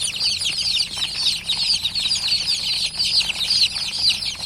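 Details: Domestic chicks that have just begun hatching peep nonstop, a bright sheet of piercing, quickly falling chirps from many birds at once.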